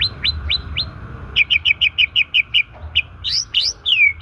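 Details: White-rumped shama natural song for stimulating stressed shamas that have stopped singing: a few high sweeping whistles, then a fast even series of sharp chirped notes, ending with loud slurred whistles. A faint steady hum underneath.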